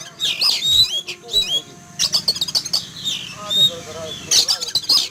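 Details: Caged Oriental magpie-robin set out in a yard in the morning, calling noisily after being frightened by a flying eagle: sharp high whistles and harsh buzzy bursts in quick, uneven runs, with a man's voice nearby.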